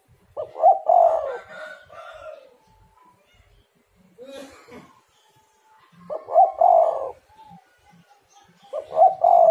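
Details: Spotted dove coo used as a lure to get other doves calling, three loud stuttering coo phrases repeating roughly every three seconds, with a brief burst of noise between the first two.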